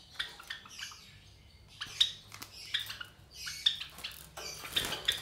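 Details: Three captive Java sparrow chicks about 23 days old, offspring of a white Java sparrow pair: high, thin chirps and squeaky bursts in irregular clusters, with faint clinks and rustling in the background.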